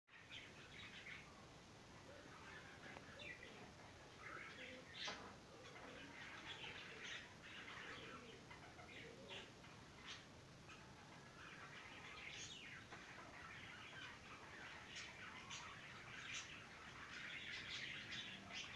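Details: Budgerigars mating and kissing for a long time chatter with busy, scratchy chirps and warbles over a low background hiss.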